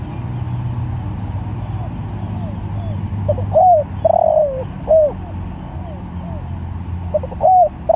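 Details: Spotted dove, called Tekukur Sirambo, calling other doves: a few soft, hooting coos with a rising then falling slur, grouped at about three to five seconds and again near the end, over steady low rumbling background noise.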